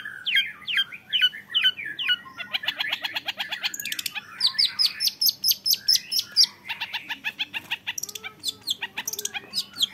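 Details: Young long-tailed shrike in varied song: short downslurred whistles, then long fast trills of clicking notes and chattering phrases, mixing scratchy and clear high tones with brief pauses.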